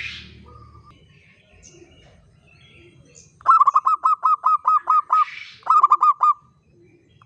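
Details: Local zebra dove singing in the long ngayer style: a rapid series of about ten short, evenly spaced hollow notes, a brief pause, then another quick series.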